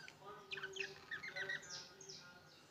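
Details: Soft warbling chatter from opaline green and opaline blue budgerigars: quick, slurred rising and falling whistles strung together at low volume.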